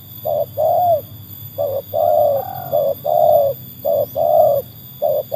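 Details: Trained spotted dove (tekukur) tested against wild doves delivers a run of deep, rounded coos, short notes alternating with longer swelling ones in a steady repeating pattern, a faint hum behind.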